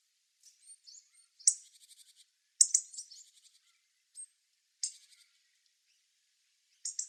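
Hawfinch giving sharp, very high ticking calls in short clicky bursts, each trailing into a few softer ticks, every two seconds or so; otherwise quiet.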